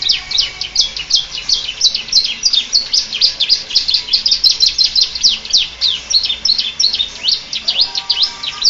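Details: Canary performing a Bar-winged prinia imitation, a continuous stream of quick, high, slightly buzzy chirps repeated rapidly and fairly evenly throughout.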